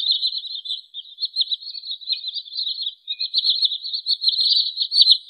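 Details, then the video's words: Wood sandpiper lure call for trapping: a steady stream of fast, high, slightly buzzy whistled notes running for five seconds, with a short gap near the middle and no other sounds. "SUARA BURUNG TRINIL SAWAH COCOK UNTUK MIKAT atau PIKAT"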